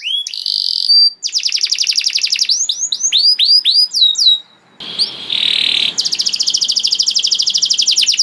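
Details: Canary singing as a master song for young birds: a buzzy held note, rapid trills, clusters of upswept whistles, a brief pause and a harsh burst, then a long fast rattling trill.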